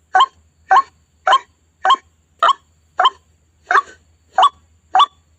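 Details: White-breasted waterhen (ruak-ruak) call used as a lure for trapping birds: a series of harsh, broad, croaking notes, roughly two per second, with a soft low background hum.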